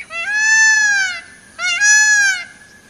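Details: Two long, loud, arching cries from a peacock roaming in forest, each about a second long and slightly falling at the end, separated by a brief pause over a quiet background.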